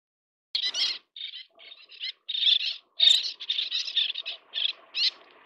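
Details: Little tern (Sternula albifrons) while feeding chicks: a run of harsh, grating high calls, short bursts and longer rasping notes in quick, uneven succession over a quiet background.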